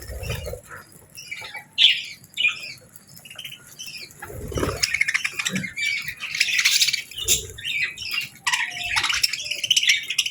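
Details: Budgies in natural morning light while eating and bathing; twittering chirps and scratchy warbles, mixed with low knocks and rustling, growing busier toward the end.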